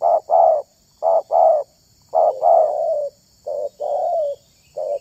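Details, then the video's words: Spotted dove cooing in short-long pairs, a voice favored for luring other doves; a drawn-out falling coo follows mid-sequence, then a further pair and a lone short note to close, all low and soft. "BERKELAS!! SUARA TERKUKUR INI SANGAT ISTIMEWA"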